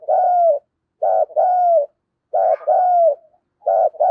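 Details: Lure spotted dove, 'giọng đồng pha' style, provoking rivals to fight: strong husky coos in pairs, a brief note followed by a drawn-out falling note, repeated about every 1.2 seconds; no other sounds.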